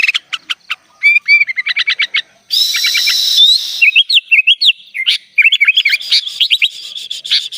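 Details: Sooty-headed bulbul in vigorous, full isian song: rapid series of short whistled upslurred notes around mid-high pitch, then a harsh buzzy stretch, followed by bubbly, warbling whistled phrases.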